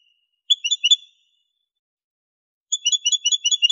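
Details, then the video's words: Caged male European goldfinch, Morocco, 2023, in clean 'limpio' song: two rapid bursts of bright bell-like twittering notes, about seven to ten per second, separated by a pause of over a second. "canto del jilguero limpio"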